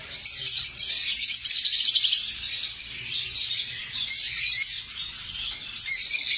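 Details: Shrill, overlapping chirps from lovebirds form a steady, busy twittering that rises and falls in loudness across the recording.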